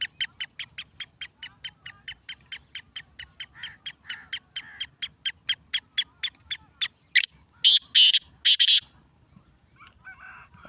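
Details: Black francolin call: a long train of about thirty short, sharp clicking notes at roughly three per second, growing louder, ending in four loud harsh rasping bursts, then brief faint chatter.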